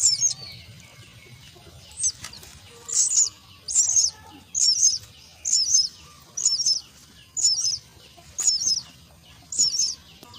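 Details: Begging calls of common myna chicks during feeding at the nest: a steady series of short, harsh, high-pitched hissing bursts, roughly one every second for about ten seconds, over a low rumbling background.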